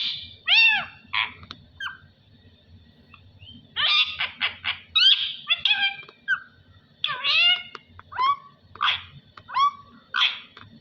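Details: A talking parrot, said to be saying "Allah Hoo", utters a string of high, speech-like syllables with curved, rising and falling tones. Squeaky chirps and short bursts come in rapid clusters, with a faint low hum underneath.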